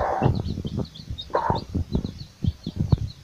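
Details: Mother hen with her chicks foraging for food: low, rapid clucks and soft knocking sounds run in an irregular stream. One louder, harsher note near one and a half seconds, and thin chick peeps high above.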